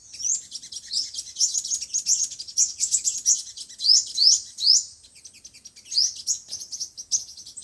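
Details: Sunbird song, five- and seven-coloured sunbird types, used as speaker playback to lure birds for trapping: very high, thin chirps and quick upswept whistled notes, tumbling in bursts with short pauses.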